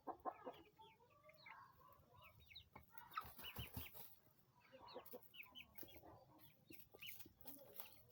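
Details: Flock of nine 20-day-old domestic chicks cheeping in clustered bursts of short, shrill peeps, with repeated rustling and clattering knocks throughout.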